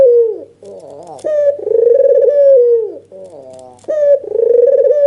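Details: Red-eyed white dove cooing excitedly while nodding, used to coax a silent dove to answer: a falling coo end, a soft wavering note, then two long pulsing coos with downward tails.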